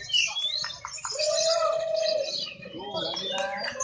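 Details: Lovebirds competing in a singing contest where judges favour birds that chatter actively and constantly; dense, rapid high chirps and twitters overlap a steady mid-pitched whistle-like tone, with voices in the background.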